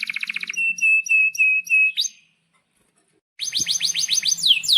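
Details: Canary song with sharp 'cuit cuit' notes, a tutor for young canaries: clear level piping notes repeated about three per second, a silence, then a string of rising and falling whistled sweeps.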